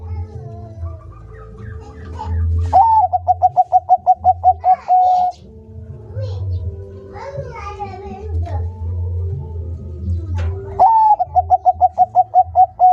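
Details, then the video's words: Bangkok-type zebra dove in full song, kept as a training recording to spur other doves to sing: two bouts, each opening with a rising whistled coo and then a rapid even string of about ten clipped mellow coos, over a steady low hum with faint fluttering notes between bouts. "Perkutut bangkok gacor"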